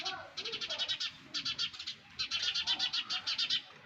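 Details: Nestling sparrows in their nest calling in three bursts of fast, repeated, shrill chirps, each run of pulses about half a second to over a second long, separated by brief pauses with soft background rustle.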